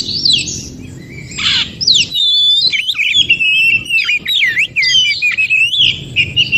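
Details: Wild Oriental magpie-robin singing in the forest, used as therapy to make silent or low-spirited magpie-robins sing. Rich, varied whistled phrases with rising and falling slurs and quick trills, steady throughout over a low background hum.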